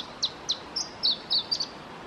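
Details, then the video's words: Male Iberian Chiffchaff singing at Testelt, Belgium, 7 May 2017: four clipped, downward-slurred high notes at even spacing, then longer flatter whistles ending in a doubled flourish, all over a soft hiss. "Singing male Iberian Chiffchaff"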